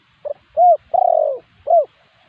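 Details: Spotted dove lure call for wild spotted doves: one clear phrase of a short coo, a rising coo, a long drawn falling coo and a last rising coo, in a quiet setting.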